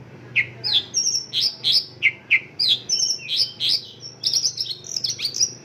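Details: Mongolian lark singing local-style phrases: about three notes per second, mixing short downward chirps, buzzy notes and thin high whistles, with a low steady hum in the background.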